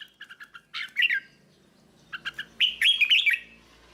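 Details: Tutor song of a red-whiskered bulbul meant for training young birds: a run of short clipped notes leading into warbled rising-and-falling phrases, repeated after a brief pause.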